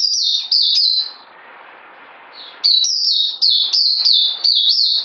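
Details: Bright, rapid bird song: a short burst of falling whistles, a pause, then a longer run of sharp, repeated down-slurred notes at a quick, uneven pace, over low hiss.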